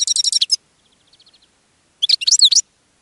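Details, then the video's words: Caged European goldfinch singing and attracting other goldfinches: two bursts of rapid, high twittering notes with a softer run of faint ticking notes between them. "GOLDFINCH SINGING in a Cage and Attracting Other Goldfinches"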